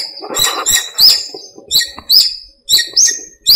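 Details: Small-park birds calling at dawn in breeding season: sharp upswept chirps in quick groups, separated by short gaps, with fainter chatter behind.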